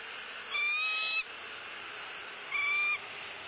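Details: High, flat whistled calls from a bald eagle at its Southwest Florida nest, recorded by a live camera as the male delivers a soft-shelled turtle to the female; two notes roughly two seconds apart over faint background hiss.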